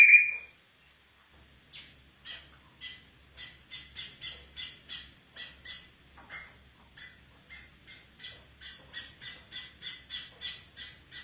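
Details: Afghan bulbul calling: a rapid series of short, bright two-part chirps repeated about twice a second for several seconds after one louder opening note, with a quiet background.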